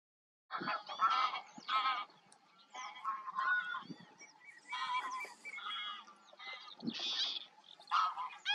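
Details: Northern lapwings calling in a busy chorus: many nasal, slurred, honking notes overlap in quick bursts, some higher wheezy notes mixed in, with short pauses between volleys.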